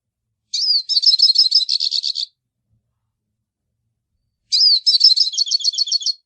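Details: Two song phrases from a hooded siskin, each a slurred whistle followed by a fast run of high, twittering trilled notes, almost two seconds long, with a silent gap between them.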